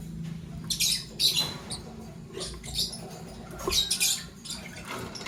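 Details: Morning chirping from green Fischer's and pastel blue lovebirds. Scattered high, scratchy chirps come in small clusters with short pauses between them, over faint background hum.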